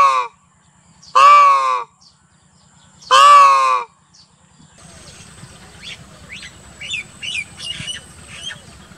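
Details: Indian peafowl giving loud, nasal, strongly harmonic wailing calls, three in all, each under a second and spaced about two seconds apart. Afterward small birds chirp softly over a low rumbling background.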